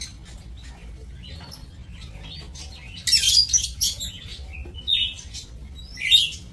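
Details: Lovebirds in an aviary cage used for breeding, 7 June 2024; quiet faint chirps at first, then from three seconds loud shrill scratchy chatter followed by spaced squeaky calls.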